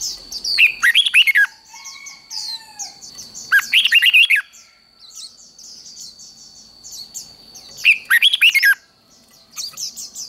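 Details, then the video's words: Fiery contest song of a red-whiskered bulbul, 'ché' style for training singing competitors: three loud bursts of rapid, slurred warbling about three to four seconds apart, against continuous faint high chirps and a steady tone. "Chào Mào Ché Kích Chim Nhanh Sung Lửa | chào mào hót | Chào mào hót đấu | Luyện Chào Mào Hót Đấu Ché"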